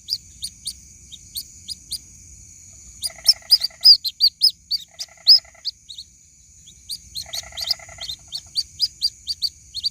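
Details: A white-breasted waterhen chick calls to its mother in a lure recording. Scattered high chirps grow into a dense run of peeps, with three brief rasping trills and a steady high-pitched hum.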